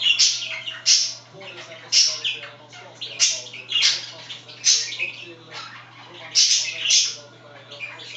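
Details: Chattering pet budgies at home, one bird scratching: rhythmic bursts of buzzy squawks and sharp high chirps roughly every second, a continuous background hum underneath.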